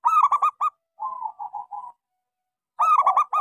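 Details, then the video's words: Local zebra dove with a small voice, giving lure song for doves that stay silent: a loud run of staccato notes, a string of soft pulsing coos, then another stuttering burst. "Suara pancingan Perkutut lokal gacor suara kecil"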